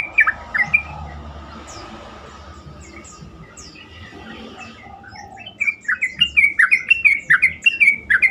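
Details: Sooty-headed bulbul song meant to stir other bulbuls into answering. A few scattered notes and a quiet, noisy stretch give way to a loud, lively run of bubbly, slurred whistles in the last three seconds.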